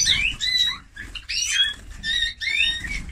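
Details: Eurasian bullfinch (Pyrrhula pyrrhula), song.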